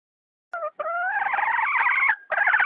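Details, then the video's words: Hen calling with two short nasal notes, then a long, rising, wavering squawk and a further harsh call, loud and buzzy. "Suab poj qaib seev zoo heev"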